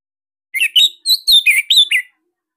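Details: Anis Merah Bali, the orange-headed thrush, singing a varied master song for cage birds; bright slurred whistles jump between low and high notes in a rapid six-phrase burst, clear and loud against silence.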